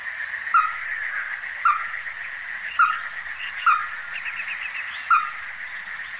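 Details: Ruddy-breasted crake (Zapornia fusca), Taiwan resident subspecies, recorded 14 December 2023 at Donggang River wetland, giving short, hard, mid-pitched notes about once a second over a steady insect-like hum.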